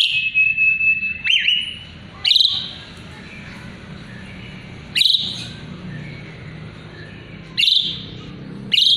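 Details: Jalak suren (Asian pied starling) in full song, kept as a tutor whose notes murai batu pick up: a long steady high whistle, then harsh rasping bursts at spaced intervals with quiet gaps between.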